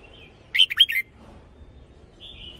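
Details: Red-whiskered bulbul kept in a cage as a decoy bird, giving a single quick phrase of four rich, warbling whistled notes, followed by a faint drawn-out whistle near the end.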